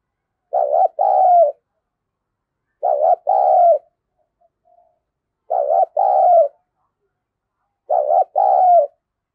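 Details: Spotted dove cooing as a decoy to lure wild doves: low, soft two-part coos, a short note followed by a longer one, repeated about every two and a half seconds in a quiet setting.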